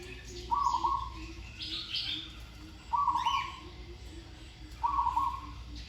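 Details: Zebra dove in training, singing with a pleasing voice and well-flowing verse phrasing: three low, rolling, stuttered coos, each under a second, about two seconds apart, with fainter higher chirps from other birds and a steady low background hum.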